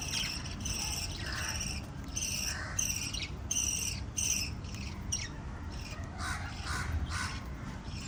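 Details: Five little lovebirds chirping together: bursts of harsh, buzzy, banded notes repeated about every half second, broken by a few lower, rounder chirps toward the end.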